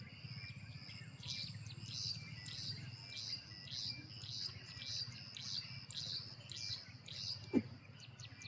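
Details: A perched male Carolina wren sings his loud territorial "teakettle" song in a yard: a rolling run of about ten ringing, bright phrases, one every two-thirds of a second, over a low background rumble and a single sharp knock.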